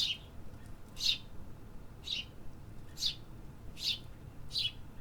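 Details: Urban birds giving six sharp high chirps spaced about a second apart, each falling in pitch, with steady low city noise beneath.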